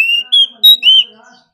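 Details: Oriental magpie-robin in competition singing, said to sing all day; four clear whistled notes, a long level tone then shorter rising and slurred whistles, each pure and ringing.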